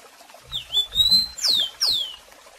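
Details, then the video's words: Rusty-collared seedeater tutor song in the Tico Tico do Café style, used for teaching young birds: a long, level, clear whistle followed by two loud, sharply descending whistled slurs, with faint low noises beneath. "Tico Tico do Café Canto Lindo"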